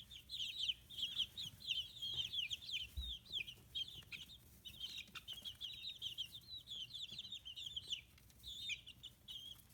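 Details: A brood of fifteen-day-old chicks at a free-range poultry farm in Kitahiroshima, Japan, chirps almost without pause. Dense, high, wavering peeps overlap into a busy chatter, thinning briefly toward the end, with a soft thump partway through.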